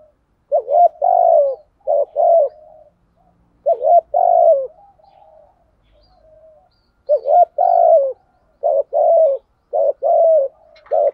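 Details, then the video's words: Spotted dove cooing, used as a stimulating call for training doves: low, hoarse phrases of two or three notes, each about a second long, repeated in bursts with short pauses. "Giọng cu gáy kích bổi cực chuẩn"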